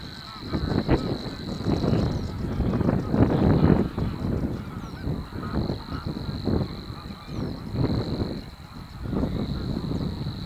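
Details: Two Savi's warblers at De Onlanden, Drenthe, the Netherlands, on April 22, 2018, between 11:06 and 11:09. A steady high reeling buzz runs almost without a break, with short gaps. Heavy low wind rumble throughout.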